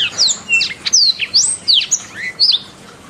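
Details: Canary in a 'masteran' training recording sings a fast run of sharp, high whistled notes and slurred sweeps. Short chirps come several per second, trailing into quiet at the end.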